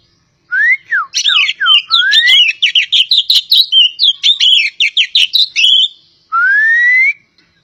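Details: Kacer poci magpie-robin from Java singing: slurred whistles swooping up and down, then a long stream of rapid, varied chirps, ending with a single long upslurred whistle.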